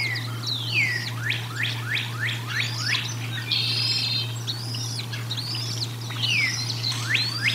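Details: At the Decorah North nest, 1 April 2022, bald eagles during feeding give a fast series of sharp descending chirps, several per second, with a short buzzy trill midway, all above a constant electrical hum.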